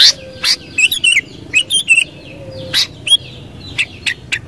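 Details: Sooty-headed bulbul, called kutilang locally, giving loud bubbly whistled phrases that dip and rise, repeated in short bursts among fainter chirps of other birds in the background.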